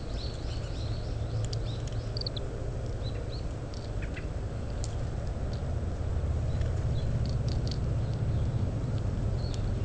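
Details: Oriental greenfinch calling while busily eating seeds from split Japanese stewartia fruits, shelling them, recorded with a parabolic microphone in strong wind; a burst of short, high twittering notes at the start, then sparse faint chips over heavy wind rumble.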